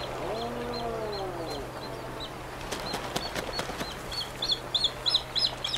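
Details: Puffin in Iceland giving a low, drawn-out groaning call, rising then falling over about a second, followed by wing flutters, clicks and repeated high chirps from other birds.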